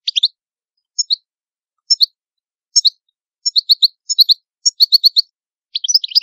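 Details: Italian cardellino, European goldfinch, song: evenly spaced doubled chirps about once a second, quickening into triple-note groups and ending in a dense twittering flourish.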